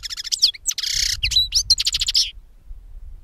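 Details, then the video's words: European goldfinch song recorded to lure birds for capture. A dense, fast stream of tinkling chirps carries a harsh buzzy section and a thin whistled note before stopping abruptly. "Chardonneret qui chante"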